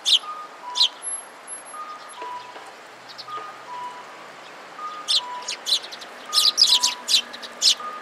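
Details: Several sparrows gathered at food and squabbling, 25 February 2017: scattered high chirps at first, then a dense run of rapid chirps near the end, with a steady alternating two-note electronic tone repeating in the background.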